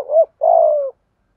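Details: Spotted dove cooing in the giọng thổ and giọng thúc styles, played to train lazy decoy birds to coo: a short hooted note, then a longer, buzzy, slowly falling coo, both low and mellow, with silence otherwise.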